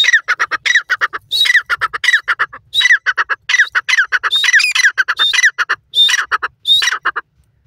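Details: Grey francolin calling in forest during the first days, loud harsh repeated squawking notes in rapid bursts, strongly harmonic, with a few higher whistled inflections, continuing without pause throughout.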